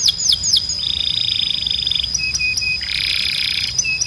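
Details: Canary tutor song for training young birds to sing: bright descending whistled swoops, then a long fast buzzy trill, a few short level whistles, and a dense rattling roll ending in a clipped whistle.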